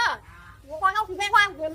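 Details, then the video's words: Common hill myna making strange sounds: a quick string of harsh, voice-like syllables with wavering pitch, like garbled human speech, under a low steady hum. "burung beo viral bersuara aneh"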